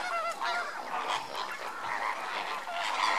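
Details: Overlapping honks and murmured gabbling from lesser flamingos during enrichment, a dense flock chorus of nasal, harmonic calls running throughout.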